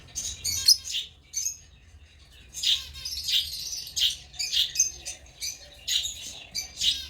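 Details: African lovebirds giving shrill, high chirps in uneven clusters, some sharp and piercing, separated by short quiet gaps against a faint low hum.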